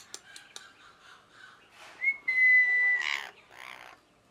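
A parrot gives a long, steady whistle lasting about a second, followed by two harsh, hoarse squawks, with softer chattering and clicks before it.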